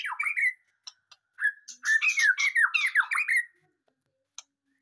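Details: Caged white-rumped shama newly moved from a breeding cage, singing loudly: a rapid run of descending and rising slurred whistles with rough, buzzy edges, then brief clicks in near silence.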